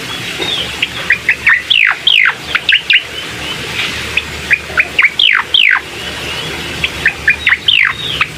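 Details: Song of a bar-winged prinia, played to stir a reluctant bird into song: crisp high chirps mixed with loud, sweeping downslurred notes, coming in lively clusters.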